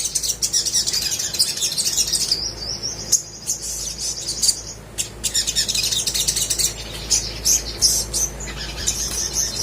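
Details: Little spiderhunter singing hard, a lure to make silent birds join in: thin, high twittering runs and a drawn-out high whistle, broken by short pauses, then sharp scattered chips.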